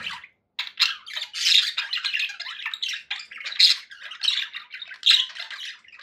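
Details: Happy budgies calling indoors: after a short silence, six seconds of dense, harsh, buzzy warbling and squawks with regular louder peaks.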